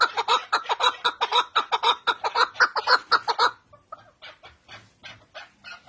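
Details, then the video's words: Male chukar partridge gives a fast, harsh clucking series, several notes a second and rising in intensity, then breaks into softer scattered chuck notes. "Erkek Keklik Sesi"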